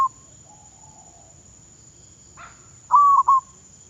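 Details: Decoy zebra dove in training in Thailand gives one cooing phrase near the end, a held tone then clipped stuttering notes, after a faint brief sound and mostly quiet background.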